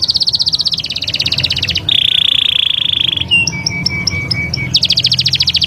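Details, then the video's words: Canary singing in varied tours: rapid high trill, a lower rolling buzzy phrase, spaced clipped notes over a steady tone, then fast trilling again. "استمتع بأجمل تغريدات طيور الكناري"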